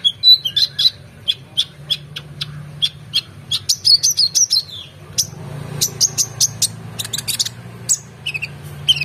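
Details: Oriental magpie-robin in energetic full song, offered as a tutor for competition birds: dense bursts of sharp high chips and whistled notes, some rapid trilled clusters, continuous for nine seconds over a faint low hum.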